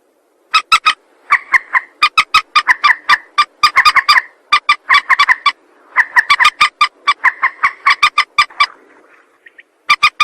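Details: Trapping lure of a rail calling: a long, nearly continuous series of hard, rhythmic nasal notes mixed with short buzzy drawn-out calls, briefly easing near the end before a fresh burst.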